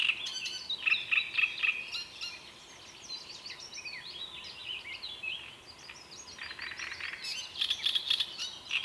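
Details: Great reed warbler song of loud, grating repeated notes alternating with quieter creaky chatter and harsh bursts, delivered in uneven phrases.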